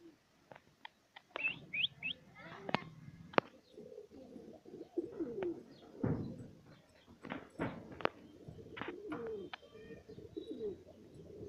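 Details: Satinette pigeons, a fancy breed pair kept for home breeding, give low soft cooing murmurs amid sharp clicks and knocks, with a few brief higher chirps near the start.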